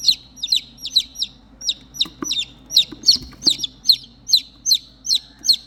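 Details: Lost chicks, three in number, peeping for their mother: high downslurred chirps, often doubled, coming in an even run of about two to three a second, with faint rustles and taps in the background.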